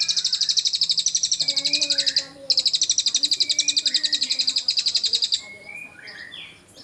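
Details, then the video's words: Cililin singing, kept as song material for magpie robins: long runs of fast, dry high-pitched trilled pulses, briefly broken, with soft lower whistled slurs threading underneath. "Buat membantu memancing semua burung murai bisa ada isian cililin"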